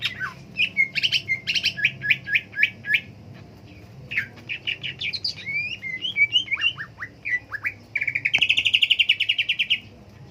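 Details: Cak ijo (green leafbird) song: varied bursts of high chattering notes, a few rapid repeated phrases, scattered slurred whistles, then a fast buzzy trill near the end. The background is quiet.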